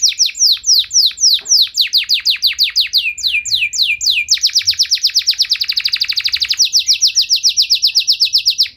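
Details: Canary in long, lavish song that excites other canaries to respond: a run of downward-swept whistles, then a very fast dense trill, and a lower steady rolling trill.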